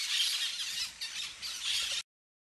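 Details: Flock of parakeets playing in the trees, giving continuous high, harsh screeching calls in overlapping waves that swell and fade for about two seconds before stopping.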